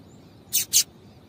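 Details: Two quick, loud, high chirps from a female Double-collared seedeater in close succession, a call used to get males singing.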